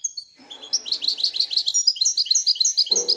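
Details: Royal European goldfinch in steady twittering song, a continuous rapid stream of bright chirped notes, roughly three per second and unevenly spaced, with a faint low rumble near the end.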